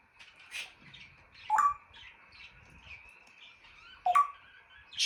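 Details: African grey parrot kept as a pet, producing quiet clicks and two short sliding whistled chirps about two and a half seconds apart among soft background chatter.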